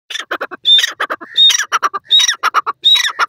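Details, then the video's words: Grey francolin (teetar) calling loudly, a call said to attract mates and defend territory: harsh squawking notes in quick bursts, each phrase topped by a sharp high whistled note, repeated about every 0.7 seconds. "teetar ki anokhi boli,teetar ki awaz say other bird dr jatay hn"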